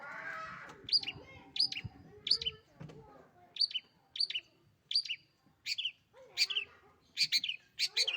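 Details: Long-tailed shrike kept as a pet singing actively: repeated sharp, high two-part chirps about every half second, becoming faster and denser toward the end, over faint low background noise.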